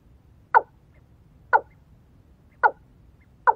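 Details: Watercock, a female decoy set out to attract others: four loud, sharp clucking notes spaced about a second apart, with quiet low background noise between them.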